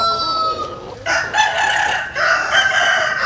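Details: Rooster crowing at first light as chickens sun themselves in the morning; a crow tails off, then two strong harmonic crows follow one after another, each about a second long.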